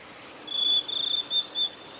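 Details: Male blue-and-white flycatcher singing on a forest road at Lake Miyagase, Japan, 17 May 2020: a high, thin, sustained whistle broken into a few steady segments, then two short notes, over a soft hiss of background noise.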